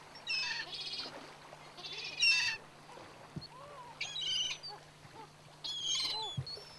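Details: Gulls resting at Seonsu ferry dock on Ganghwa Island give harsh, nasal, bleating squeals in short bursts every second or two, several birds overlapping, over a steady low mechanical hum.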